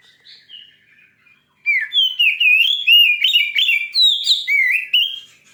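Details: Fierce Oriental magpie-robin song used to provoke other magpie-robins. Faint notes are followed by a sudden loud, rapid stream of sweeping whistles and sharp chips.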